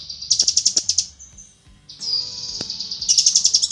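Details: Female cucak kinoi calling for the male: a quick run of high piercing chirps, a drawn-out thin whistle, then more rapid bright chirps.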